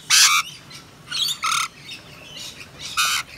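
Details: Wild rainbow lorikeets, native parrots of eastern Australia, on a balcony during a dreary lockdown day of rain: loud, harsh, raspy squawks in short bursts, three strong ones with fainter screeches between them.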